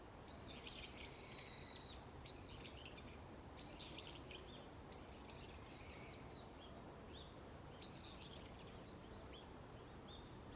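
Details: Wild birds calling in a forest early on an autumn morning: a run of bright chirps and short whistled notes, some thin and buzzy, following each other quickly over a steady background hiss.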